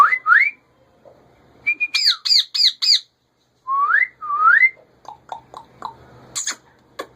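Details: Captive male rose-ringed parakeet, a breeder's own pet bird, gives rising whistled slurs near two kilohertz, then a rapid string of five arched, harmonic squawks, more upslurred whistles and scattered short chips.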